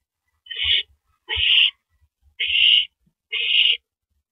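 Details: An owl at its nest in the night of 9 April 2012, near 7:58 PM, when the first mouse arrives: four harsh hissing bursts, each about half a second long, spaced roughly a second apart, with low thumps.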